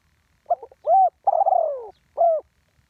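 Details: Single phrase from a live spotted dove in the Thai 'tor din' ground-decoy, 'one kuk' call style: a soft stammer, a loud rounded coo, a lengthy downward-sliding purr, and a last clean coo. No other sounds.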